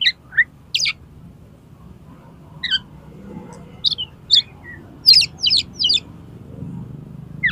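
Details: Oriental magpie-robin singing to challenge another magpie-robin to fight, tail spread: scattered sharp whistled and chirped notes, some dropping, with quiet gaps and a dense burst of chirps near the end over low background hum.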